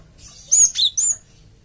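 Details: Java sparrow lure call meant to make a flock answer right away: three loud, sharp, high whistled notes in quick succession, the first and last slurred and ringing, over a quiet background.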